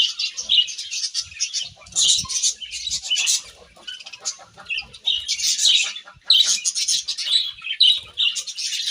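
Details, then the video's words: Several budgies eating grass, chattering in dense bursts of high, scratchy chirps and warbles with short pauses between flurries. "Beautiful Budgies Grass Eating Chirping Sounds"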